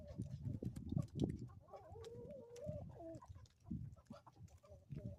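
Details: Chickens on an Ozarks homestead in the morning: low murmuring clucks and a drawn-out, wavering tonal call in the middle, with steady low rumbling background noise.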